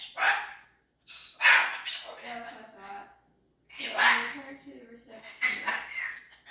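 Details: A female pet cockatoo, whose owner jokes she sounds haunted, gives four harsh, raspy, broadband squawks about every one and a half seconds, some trailing into moaning, voice-like tones.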